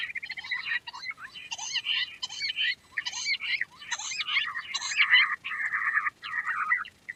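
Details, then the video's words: Quails chattering in harsh, scratchy, rasping bursts with abrupt pitch jumps, broken by short pauses, then ending in lower, buzzy rattling phrases. "Queen quail sound || Lohari ka Awaaj"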